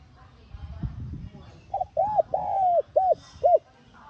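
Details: Calling coo of a spotted dove, used to trigger a kept bird into cooing: after a low rumble, a five-note phrase of two short hoots, one long drawn note and two short clipped hoots.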